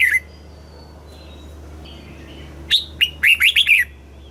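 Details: Red-whiskered bulbul, southern master-style song played to stimulate caged birds and teach young: after quiet thin whistles, a fast phrase of six bright, liquid, falling notes in about a second, low hum throughout.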